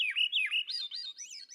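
Swainson's Thrush singing a quick, fluty, spiraling phrase whose swirling notes climb steadily higher, ending in thin upward twirls.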